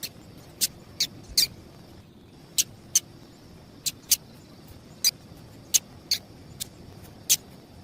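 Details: Female double-collared seedeater calling, a call used by breeders to stimulate males for singing tournaments; about a dozen short, sharp, high chips at irregular intervals over roughly eight seconds, above a faint steady high-pitched hum.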